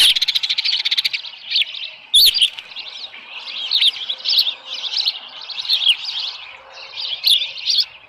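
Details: Morning at the Dunrovin Ranch osprey nest, 13 July 2018, about 7:10 AM, with a small live fish: opens with a fast pulsed trill, then repeated squealing chirp bursts roughly every half second, one loud knock midway.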